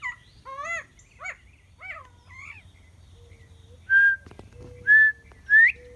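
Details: Northern bobwhite calling: soft, harmonic-rich whistled notes in the first half, then three loud clear whistles, each sweeping sharply upward, spaced under a second apart near the end, with a low steady tone in between.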